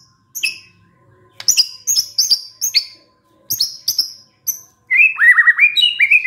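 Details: White-rumped shama, a lure recording: short sharp high notes spaced by gaps, then a quick burst of repeated whistled slurs near the end.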